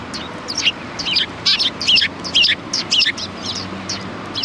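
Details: Several sparrows at a Tenmangu shrine, 4 March 2020, give rapid, high, slightly rough chirps in overlapping clusters of two or three notes.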